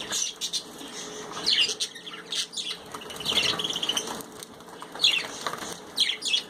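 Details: Pet budgerigars chirping while enjoying a bath: scattered high chirps and squeaky notes over constant splashing and fluttering water noise.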